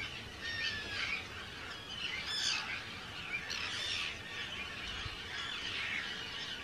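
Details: Arctic terns calling in a large colony on Rottumerplaat, the Netherlands, on 4 June 2023; scattered loud, harsh, slurred screeches stand out every second or two above a steady background of colony calls.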